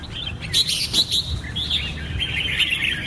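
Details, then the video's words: Song of a Red-whiskered bulbul: loud, sharp chirps and rolling warbled phrases, some notes rising and falling, rhythmic and lively, against low background rumble. "Birds Red-whiskered bulbul (Pycnonotus jocosus) Chants Extreme Peak"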